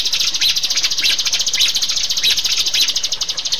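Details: Rio-rio bird, used as a master sound for caged birds, delivering a dense, rapid, high trill broken by louder accented notes about every half second.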